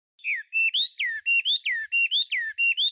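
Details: Clean whistled song of a Chinese hwamei: a three-note phrase, falling, level, then rising, repeated about four times in quick succession against a quiet background.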